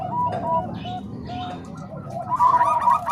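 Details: Zebra doves of the Bangkok and Cemani Kolbuntet types, combined as a tutor recording for other doves: overlapping mellow cooing notes repeated rapidly in short runs, growing louder and more crowded near the end, over a low steady hum.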